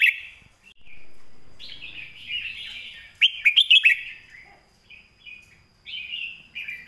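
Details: Red-whiskered bulbul master song used to teach other birds: flowing warbles, then a loud, quick phrase of bright notes, with more warbled phrases continuing in the background.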